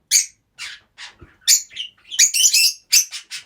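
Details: Multiple captive rosy-faced lovebirds kept in one home, chattering with loud, harsh, high squawks in quick succession, about a dozen grating notes, some overlapping, with brief gaps between.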